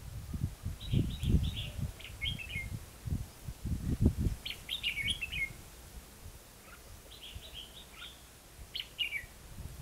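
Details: Red-whiskered bulbul used as a trapping lure in Hòa Mạc, Hà Nam, Vietnam, singing competitively: repeated short bursts of quick chirpy warbled notes, partly masked by loud low thumping and handling noise in the first half.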